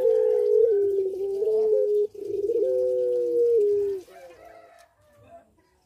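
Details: Puter pelung, a Barbary dove kept in breeding condition, delivers two long, slightly descending coos in succession, then falls quiet apart from faint background sounds.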